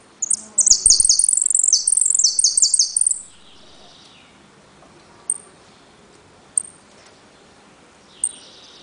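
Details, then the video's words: Caged saffron finch (jilguero) from Trenque Lauquen giving repique, golpe and pitadas: a three-second burst of rapid, very high, chattering trilled phrases, followed by a few isolated sharp high notes. "JILGUERO AUDIO "EL CORRENTINO" ( repique, golpe y pitadas)"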